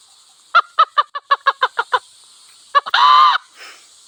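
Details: Wild hen and cock in a village setting: eight quick, evenly spaced clucks, then two more and one drawn-out, arched, nasal note, over a steady high-pitched background hum.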